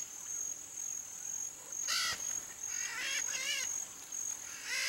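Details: Free-living red-shouldered macaws (Diopsittaca nobilis), tagged as Pantanal fauna, give harsh, grating screeches in short bursts, a few close together, over a steady high insect drone.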